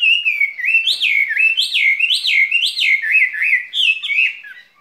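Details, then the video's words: Caged skylark in spring song: high whistled phrases repeated about every half second, each rising sharply then sliding down, in a steady rolling sequence that fades at the end. "Chim quý ở lồng son ca bản tình ca mùa xuân"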